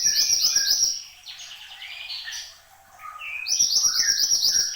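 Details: Horsfield's babbler singing vigorously: dense, rapid bright trills and chattering notes open and close the phrase, with softer lower warbling in a quieter middle stretch.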